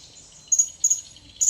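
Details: Wild blue-crowned hanging parrot approaching, giving three sharp, very high, thin whistled notes about a third of a second apart, over a steady high insect hiss.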